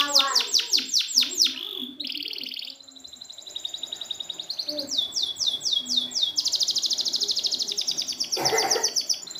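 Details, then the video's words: Canary singing for a training recording aimed at canaries that have stopped singing: loud falling sweeps, a brief buzzy roll, softer high tones, then a long rapid chattering trill with faint background noise. "Masteran burung kenari macet"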